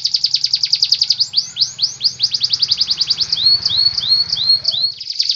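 A canary sings fast, dense tours of high chirps and trills, each repeated several times per second before switching to rising, whistled notes; a faint low hum underneath.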